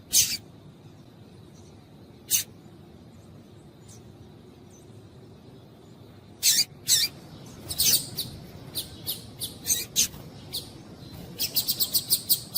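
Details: A female double-collared seedeater calls, used to excite males into singing. She gives sharp, high chips, singly at first, then in a quickening run of about eight near the end, over a faint background hiss.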